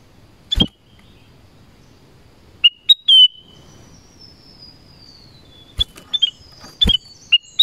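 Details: Black-crested bulbul heard in the forest: sharp chirps and brief whistled phrases, a held high whistle, then a quiet drawn-out falling whistle, and a cluster of quick notes toward the end.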